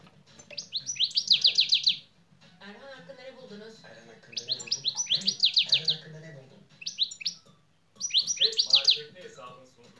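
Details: European goldfinch in song training, its 'şak şak' song element: three loud bursts of rapid, high, falling clicky notes, each about two seconds long, with quieter murmuring human voices and low room noise between the bursts.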